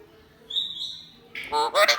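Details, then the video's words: An Alexandrine parakeet imitates human speech, "oh buddy come here": a clear high whistle, then a burst of raspy, speech-like syllables. "Alexandrine raw parrot talking Oh buddy come here"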